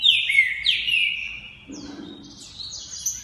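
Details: Green-winged saltator, a champion competition cage bird from Santa Catarina, Brazil, sings loud slurred whistles sweeping down and up, followed by quieter high rising phrases; a brief low murmur sounds midway.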